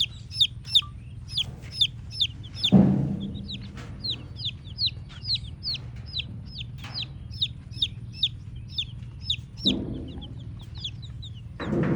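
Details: Red chicken chicks chirping continuously: high, thin, down-slurred peeps repeated rapidly by several chicks throughout, with occasional soft thumps and brief low rustling bursts.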